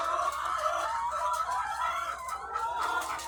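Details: Thousands of farm-kept egg-laying chickens, their continuous massed clucking and wavering, drawn-out cackles blending into one unbroken din, with no other clear sounds.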